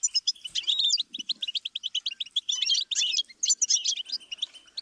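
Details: Fast goldfinch twittering meant as a song-learning stimulus, a steady stream of sharp chirps and short buzzy notes, with brief gaps between phrases.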